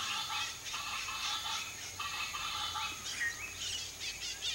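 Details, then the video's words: Wild Chaco chachalaca song, a loud, grating chorus of rough, rasping phrases repeated again and again throughout, with a steady high-pitched insect hiss behind. "ARACUÃ-DO-PANTANAL canto (ORTALIS CANICOLLIS), CHACO CHACHALACA"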